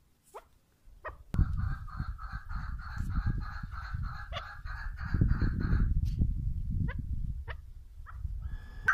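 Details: Female chukar partridge giving a rapid series of about four short, buzzy clucks per second for several seconds, followed by a few scattered single notes over low rumbling handling noise.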